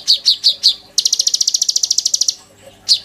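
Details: Oriental magpie-robin in full, lively song packed with mimicked phrases, used as a master song for training kolibri ninja birds: four sharp high chirps, then a fast even rattle of about twenty high notes, then one more chirp.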